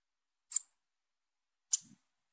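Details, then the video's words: Young female bananaquit calling: two very high, thin, sharp chips about a second apart, each a brief downward-fading tick, against a silent background. "FÊMEA DE SIBITE NOVINHA CHAMANDO"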